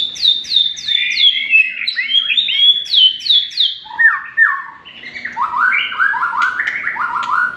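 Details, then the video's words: White-rumped shama singing a rapid series of high, downward-slurred chirps, then dropping to lower, quick, repeated rising notes, about three per second. "BURUNG MURAI BATU"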